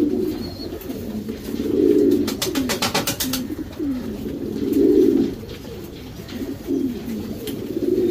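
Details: Racing Homer domestic pigeons in a loft's breeding section give low, throaty rolling coos that swell near two and five seconds, with softer cooing between. A rapid burst of clattering taps, like flapping wings, sounds around the third second.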